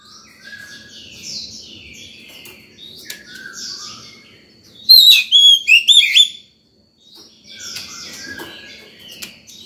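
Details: Morning song of a White-rumped shama, sung to call other birds and train young ones: a loud burst of sharp, sweeping whistles mid-way, between faint echoing phrases and a brief silence.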